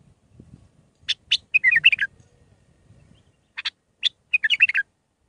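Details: Mandalawi-style bulbul song of six phrases, used to teach young birds: two loud chirps lead into a fast, fluty, up-and-down warble, repeated twice, with a soft low murmur in the background.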